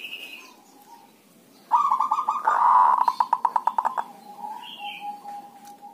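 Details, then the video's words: Javanese local zebra dove calling dhuduk and kerot as lure playback for other doves. A harsh, buzzy rolling burst leads into roughly ten sharp, staccato notes. Soft coos and higher chirps from other birds come before and after. "Terapi singkat perkutut dhuduk dan kerot, sangat ampuh untuk pancingan"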